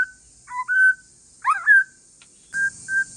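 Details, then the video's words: White-rumped shama of Aceh forest lineage in calm song to draw replies from other shamas: a few short clear whistles and one twisting slurred note, separated by pauses. "Kicauan santai murai trah hutan aceh BUAT MURAI LAIN NYAUT"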